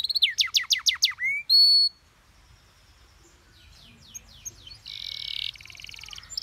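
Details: Canary master recording for teaching other birds: a loud run of quick descending sweeps and a held whistled note, then a pause and softer buzzy chatter with a rasping trill.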